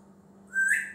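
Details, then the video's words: Male African grey parrot, a pet that talks and learns new words and noises, whistles one smooth note that rises and ends bright and strong, over a low room hum. "Talking African Grey parrot"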